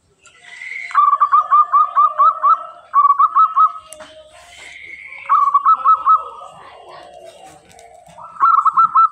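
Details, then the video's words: Local zebra dove singing actively and very clearly: bursts of rapid, evenly pulsed cooing notes at a steady mid pitch, about five to eight notes per burst, repeated three times with quiet gaps; faint higher chirps and a brief click between. "Perkutut lokal gacor sangat jernih sekali"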